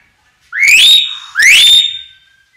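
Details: Lure song of a common hill myna: two loud, pure whistles about a second apart, each sliding steeply upward before levelling off on a sustained high tone, in an otherwise quiet recording.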